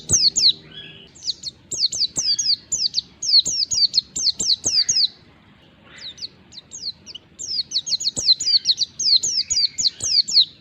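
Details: Wild white-eye singing a lure meant to make any white-eye respond: long runs of quick, very high, slurred tweets with short breaks, closing in a dense chattering burst.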